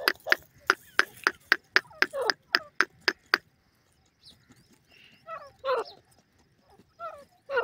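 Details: Francolin (teetar) giving a rapid run of sharp, evenly spaced clipped notes, about three per second for three seconds, then a pause and a few rougher, descending harsh calls.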